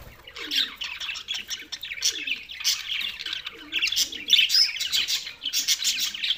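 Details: Budgerigars on 7 June 2024 chirping and warbling in uneven bursts, bright tweets mixed with rasping notes, with a few clearer whistled chirps midway.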